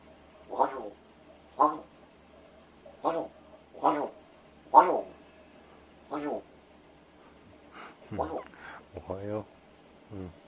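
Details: Rescued large-billed crow kept indoors does vocal practice as its owner feigns sleep. Six rough caws come at uneven intervals, then a few warbling, wavering, speech-like sounds near the end, with faint low hum behind.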